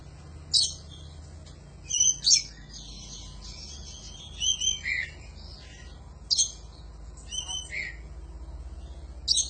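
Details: Oriental magpie-robin recorded as a master song for training birds: spaced bursts of high chattering phrases mixed with whistled and buzzy notes, repeated every one to two seconds, with a quiet low rumble behind.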